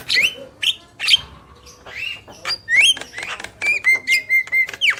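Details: Male and female black-winged mynas: scattered harsh calls and rising whistled slurs, ending in a string of rhythmic clipped notes over a steady held whistle.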